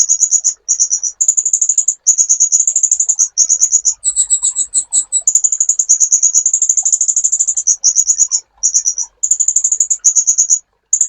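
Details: Master song of a sunbird for training songbirds, packed with high, buzzy trills. Near the middle there is a short run of distinct, slower two-toned notes before the trilling resumes.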